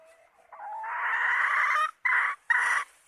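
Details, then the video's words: Chicken hen giving a drawn-out, loud, nasal call lasting over a second, rising at the start, followed by two shorter, equally harsh notes after brief pauses. "Suab Poj qaib seev zoo heev"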